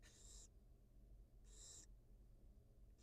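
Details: At a wild nest, a barn owl mother feeds two newly hatched chicks under a live camera; two rasping hisses, each lasting nearly half a second and about a second apart, over a constant low background hum.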